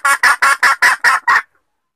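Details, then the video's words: Female red junglefowl in a mating call lure: seven harsh, buzzy cackling notes in quick even succession, each about a sixth of a second long. "suara pikat ayam hutan betina minta kawin"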